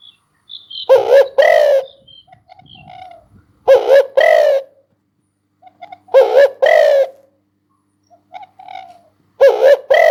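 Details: Repeated coo phrases from a spotted dove: paired notes, a brief one then a longer falling one, recurring about every two and a half seconds, with soft murmured notes between phrases.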